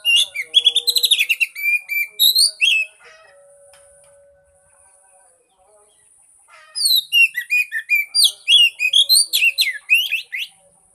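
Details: Oriental magpie-robin song used as a lure to prompt a mute bird to sing: rapid bursts of varied, sharp whistled and chirping notes, a quiet pause in the middle, then another fast, lively run.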